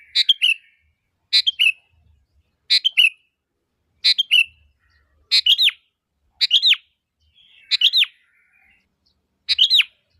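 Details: Sooty-headed bulbul calling to lure other bulbuls into answering: eight crisp two- or three-note phrases, each ending in a downward-slurred whistle, delivered about every 1.3 seconds in a clean recording.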